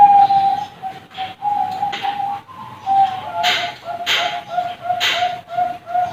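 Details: Young Bangkok-type zebra doves at a bird farm. Short cooing notes come in broken runs at a steady pitch. Sharp clattering noises cut in several times, and a second run of coos rises slightly before settling.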